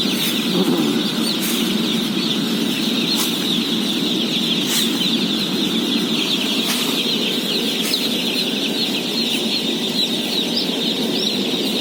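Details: Feeding of 17,000 day-old chicks: a relentless high-pitched peeping chorus, steady throughout, broken by several sharp metallic clicks or knocks spaced a second or two apart, over a low mechanical rumble.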